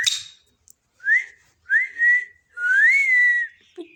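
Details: Pet parrot vocalizing while eating: three clear whistled notes near the same pitch, each sliding upward then holding steady, the last one longest, separated by short silences.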